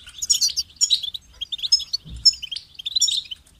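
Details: High twittering goldfinch song of chattering chips and quick liquid notes, flowing almost without pause, with one brief low thud midway.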